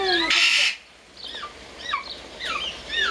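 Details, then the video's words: A shrieking parrot gives a harsh, loud burst of screeching, then several curving whistled calls that swoop up and down. Background noise continues throughout. "Попугай кричит"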